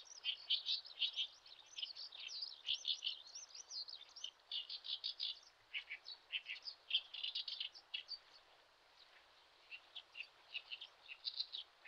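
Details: On a Shin'etsu riverbed in Japan in late May, a Common sandpiper parent guards its lively chicks; a continuous stream of high, sharp chirps and tweets runs almost unbroken, thinning to spaced notes toward the end.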